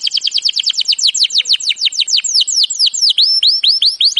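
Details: Canary training song of quick repeated sweeping notes, first steep downslurs, then slower V-shaped and rising whistles, delivered at several notes per second.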